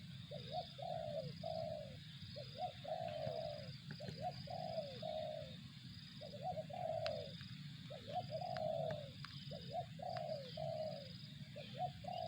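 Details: Spotted dove calling in 'target zong' style, a long series of phrases: paired short hooked notes, then one or two sustained falling coos, repeated steadily, over persistent low hum, a faint high whine and occasional clicks.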